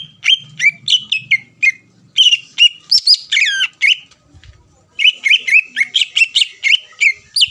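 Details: Greater green leafbird song used to provoke rival birds: varied whistled and slurred notes with some harsher squeaky ones, a pause, then a rapid chattering run of bright whistles.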